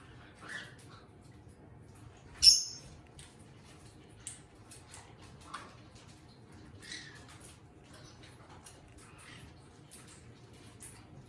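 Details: Pet eastern rosellas filmed close by; one sharp, high squawk stands out, with scattered soft chirps, clicks and rustling across the quiet room.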